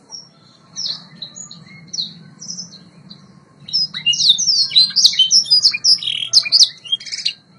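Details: White Yorkshire canary, a domestic caged bird, singing for song training: scattered high chirps over a low hum at first, then a loud rapid series of sweeping whistled notes and trills in the second half.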